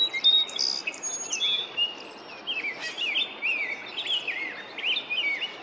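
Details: Rose-breasted Grosbeak singing in springtime in Norfolk County, Massachusetts, recorded on a Nikon Coolpix P1000; sweet, rolling warbled phrases rising and falling in quick succession, with thin high notes from another bird early on and faint background hiss.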